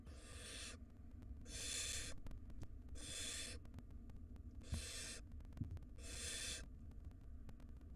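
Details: Wild barn owl nestlings begging during a feeding visit by the mother at a nest box: five breathy, snore-like screeches in steady succession, each under a second, over low background hum and faint knocks.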